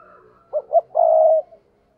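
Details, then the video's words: Spotted dove's luring "thúc bổi" coo for wild doves: a faint murmur first, then two short throaty notes rising into a long, steady, low-pitched hoot. "tiếng cu gáy thúc bổi"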